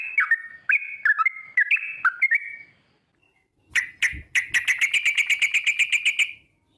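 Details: Sooty-headed bulbul giving lure song in ropel style to get other bulbuls singing. Stepped whistled phrases come first, then a short silence, then a fast even trill of crisp repeated notes lasting over two seconds.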